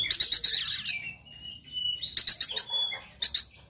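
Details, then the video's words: White-rumped shama, Sumatran type, fighting with spread tail: quick stuttering rattles, then long thin whistles held level, and further clipped rattle bursts. "KACER NGOTOT TARUNG BUKA EKOR SUARA TEMBAKAN KASAR"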